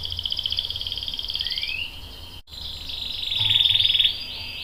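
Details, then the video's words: Captive canary song: rapid buzzy trill for nearly two seconds with a sliding note, a brief break, then a louder pulsing roll and a few whistled phrases. "KENARI GACOR cuit cuit NGEROL bikin PAUD ikut NYAUT jadi BUNYI | CANARY SINGING"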